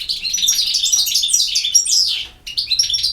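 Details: European goldfinch in campero song, an energetic jumble of high twittering and squeaky whistles, pausing briefly before resuming with more bright chirps.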